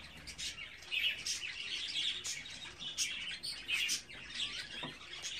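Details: High, buzzy chattering from budgerigar chicks aged 24 days, overlapping squeaky chirps rising and falling in quick irregular bursts.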